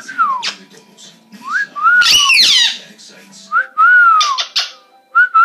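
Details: A pet Cuban amazon parrot makes a strange noise indoors: falling whistled notes and a loud, harsh, buzzy burst, then more drawn-out whistles, over a faint hum.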